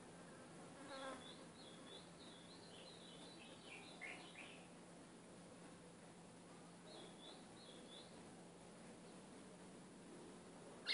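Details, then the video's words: Ultramarine grosbeak song played as training for a caged seedeater: soft whistled phrases of quick, sliding notes, a long phrase between one and five seconds and a shorter one near seven seconds, over a steady low hum. "CANTO AZULÃO"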